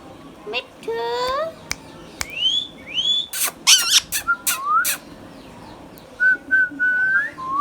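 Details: Tame pet Indian ringneck parakeet calling: rising whistled slurs, several sharp harsh bursts in quick succession, then a steady level whistle broken into short repeated pieces and ending in a final upward flick.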